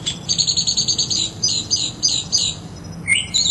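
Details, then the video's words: Mockingbird singing and mimicking other sounds: a fast run of about a dozen high, sharp repeated notes, then varied high two-part phrases, each repeated, ending with a lower slurred note. "Mockingbird Song Serenade"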